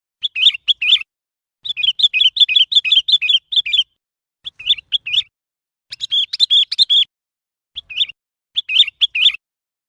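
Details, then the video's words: Sooty-headed bulbul giving bursts of quick, bright chirping notes in short bubbly phrases, separated by brief pauses, with no other sounds. "Sooty Headed Bulbul Sound"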